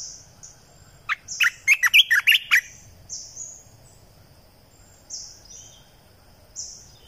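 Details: Red-eyed bulbul lure song from 2020: a lively phrase of roughly eight chattering, bubbling notes in just over a second. Faint high drawn whistles from another bird keep sounding afterwards.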